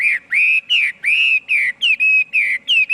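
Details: Pure, loud whistles from a Chinese hwamei, about three per second, alternating rising and falling slurs in a steady rhythmic phrase.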